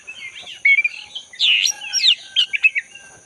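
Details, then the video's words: Wild black-breasted magpie-robin song from the forest, played to restart a silent caged bird: rich varied warbles and slurred notes building to a loud burst, then short sharp chirps, over a constant high-pitched background whine. "Pancingan burung kacer dada hitam gacor buat kacer yang macet bunyi"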